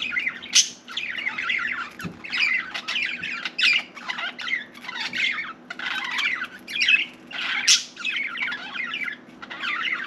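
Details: A talkative pet budgerigar babbles for about ten seconds indoors, raspy warbles punctuated by sharp clicks and a few loud high squeaks, with a soft thump early on.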